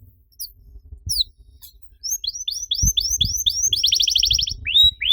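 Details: Canary song used as a lure to prompt other canaries to sing: after two quiet seconds with a few scattered high notes, a run of rising whistled slurs leads into a rapid, even trill. Faint low rumble beneath.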